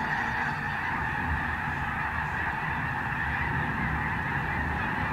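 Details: Large flock of wild snow geese taking off again near Sacramento, California, producing a continuous dense roar of countless overlapping honks with no gaps.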